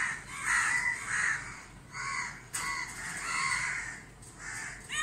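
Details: Crows mob a helpless barn owl in dazzling sunlight at a Dhaka, Bangladesh house; loud, grating caws rise and fall in overlapping bursts, with a brief sharp knock partway through.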